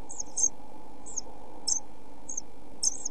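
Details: Pied flycatcher chicks in a nest box on a hot day of food shortage, 27.6.2013, giving short high-pitched squeaks spaced about half a second apart, over steady low hum.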